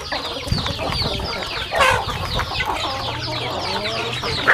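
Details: Chickens eating at a farm; overlapping high falling peeps run throughout, broken by a short scraping rustle midway and a low thump early on, with a soft hum below.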